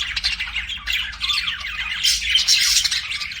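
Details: Pet budgies in chorus, a busy stream of rapid, scratchy warbles and squeaky chirps, growing louder and harsher toward the end.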